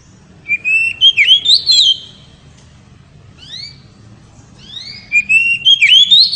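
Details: Oriental magpie-robin pouring out loud ngeriwik song that excites the female: two bursts of fast, varied whistled notes separated by a few soft rising chirps, over a low background hum.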